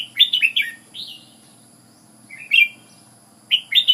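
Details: Ubon, Thailand red-whiskered bulbul: a lively cluster of bubbling, falling whistles, a pause, then more bright chirped phrases near the end.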